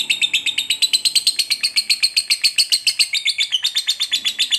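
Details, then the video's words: Lovebird of the fighter type giving a long ngekek trill, used to provoke another lovebird into attacking: a fast, unbroken run of harsh, buzzy chirps, about four per second, steady throughout and briefly dipping near the end. "SUARA BURUNG LOVEBIRD NGETIK NGEKEK PANJANG"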